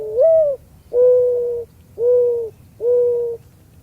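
A Mourning Dove gives a low, mournful coo: a slightly rising first note, then three soft, steady hoots about a second apart. No other sounds stand out.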